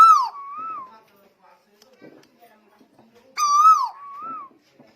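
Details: Two phrases from an energetically singing Lombok tuwu, each a loud, clear, downslurred whistle with a gentle wavering second note, separated by quiet faint clicks.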